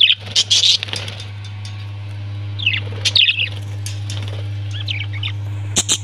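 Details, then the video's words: Parrots chirping and squawking in short bright bursts, a cluster at the start, more around the three-second mark and a sharp pair near the end, over a steady low electrical hum. "Parrots 🐦 Sound"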